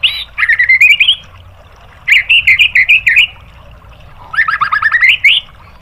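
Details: White-rumped shama song for provoking other birds into singing: three bursts of rapid, rising, chattering whistled notes, each burst about a second long, separated by short silences.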